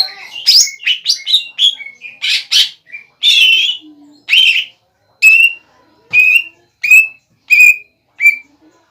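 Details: Caged greater green leafbird singing to make a rival bird answer: a fast jumble of varied chirps and slurred whistles, then single sharp whistled notes spaced about every half second to second, each dropping slightly.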